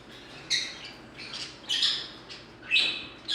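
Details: Pet green-cheeked conure bobbing its head, giving a few short, harsh, scratchy squawks in quick bursts, spaced about a second apart, against a quiet indoor background.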